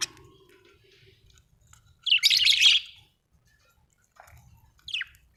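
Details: Budgerigar chirping, described as happy: one loud, scratchy warbled burst lasting about a second, then a brief quieter chirp and a sharp falling squeak, with a low background rumble.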